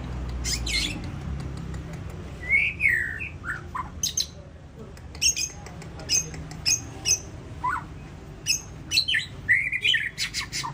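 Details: ['Champion white-rumped shama singing at the SMBF Ladong bird singing contest: scattered clear whistles and sharp chirps, some rising and some falling, in quick varied phrases over a steady low background hum.']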